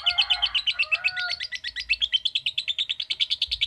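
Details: Lovebird replying to a calling recording with its long ngekek trill, quick buzzy chattering pulses at a steady pace, with a few thin whistled tones underneath at the start.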